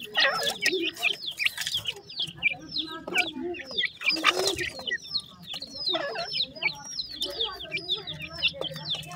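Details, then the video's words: A group of francolin (dakhni teetar) chicks peeping continuously: rapid high twittering with hooked, falling notes, plus a brief rushing noise burst partway through. "top dakhni teetar chicks awaz"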